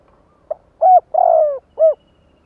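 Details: Single clear phrase from a spotted dove kept to lure wild doves: a short faint note, a steady coo, a lengthy coo dropping in pitch, then a last short coo. The background is silent.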